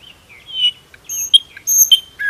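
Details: Nightingale sings rich, varied phrases: mid-range warbling notes, then sharp, high, clear whistles and quick chirps, with no other sounds. Finding: Common nightingale.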